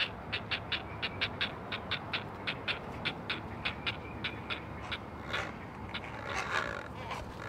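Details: Great blue heron chicks, four in the nest on a Chesapeake Conservancy live camera, calling for their mother with a regular series of sharp clicking notes several per second, turning into a harsher burst near the end.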